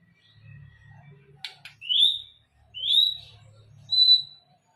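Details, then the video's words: White-rumped shama singing in the afternoon, three clear loud whistled phrases about a second apart, each a rising then falling slurred note, with a brief rattling note before them and a faint low hum underneath. "muraibatu bongkar isian di sore hari"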